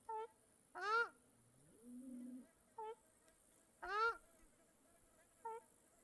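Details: Lakeside birds in Mongolia: two loud downslurred harmonic calls, several short nasal notes and a low wavering tone, spaced across a quiet natural background with light hiss.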